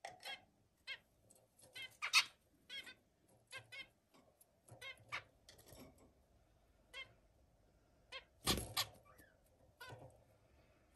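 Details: A zebra finch gives short, nasal, buzzy chirps in quick irregular bursts during mating, with multiple attempts.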